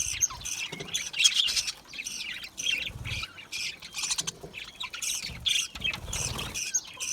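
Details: Aviary budgies, small colourful Australian parrots, keep up busy flock chatter of harsh squawks and bright chirps, bursts crowding one another with brief lulls between.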